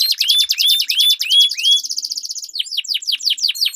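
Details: Duelling canaries singing a long rolling song used to train competition birds: repeated rising whistled slurs about three per second, then a steady rapid buzzy roll, then sharp descending chips.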